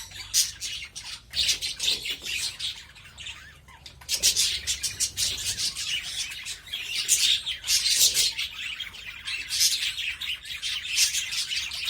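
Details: Budgerigars crowding an aviary: continuous busy chattering of many birds, rapid high chirps and scratchy warbles in loud bursts with a brief quieter moment.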